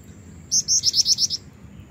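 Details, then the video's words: Female black-winged flycatcher-shrike (jingjing batu) calling actively to lure a male; a quick burst of seven thin, very high piping notes lasting under a second, over a faint steady hum. "jingjing batu betina gacor pancingan jantan"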